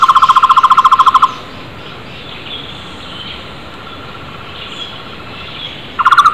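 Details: Loud flame-fronted barbet in the wild: a fast, evenly pulsed trill of hollow notes opens. Five quiet seconds of faint birds and hiss follow before the trill starts again at the end.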